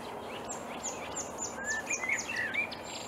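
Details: Early-morning May song of a marsh warbler in reeds at Upplands Väsby, Sweden, 2020: thin, high descending notes repeated in a row, joined later by short rising and falling whistles, against constant environmental noise.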